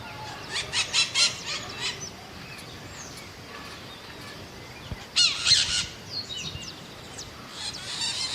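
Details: Scaly-headed parrot (maitaca-verde, Pionus maximiliani) uttering bursts of harsh, grating squawks: a rapid cluster early on, a quiet stretch, then a louder raspy outburst and scattered scratchy notes toward the end.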